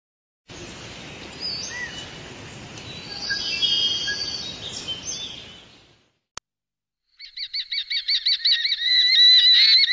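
A red-footed falcon gives a shrill, rapid chatter of high, slightly nasal notes, about three a second and growing louder, after several seconds of rushing background noise.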